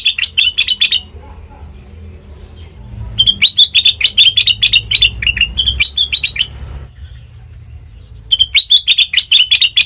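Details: Sooty-headed bulbul, its song used as a lure for training birds, delivers three bursts of quick, sharp, chattering notes separated by short pauses, each burst a tumbling string of bright chirps over faint low hum.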